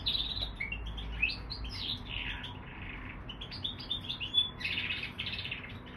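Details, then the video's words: Canary x bullfinch mule warbling in a jumble of short chirps and raspy notes, with one pure, sustained whistle standing out near the end, over a quiet low hum. "Mulet canaris bouvreuil"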